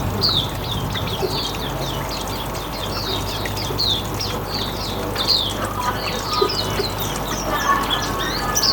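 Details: Hume's white-eye (mata putih) in riwikan style, used as a lure for other birds: rapid high thin chirps and twittering notes repeated throughout, over a steady low hum.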